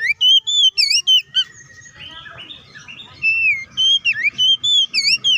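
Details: Loud oriental magpie-robin song for stirring other magpie-robins to sing, quick whistled notes with sharp downward and upward inflections, broken by a softer warbled passage before the ringing whistles resume; light background noise.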